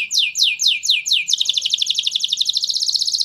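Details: Canary song to ready females for mating: five slow, downward-sweeping high notes, then a rapid, steady buzzing trill of many fast repeated syllables.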